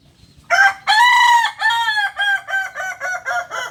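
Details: Kokok Balenggek (kukuak balenggek) rooster, a native village chicken breed from Solok, West Sumatra, known for tiered crowing. A long harmonic opening note, then a rapid series of about eight short stepped syllables, each slightly lower.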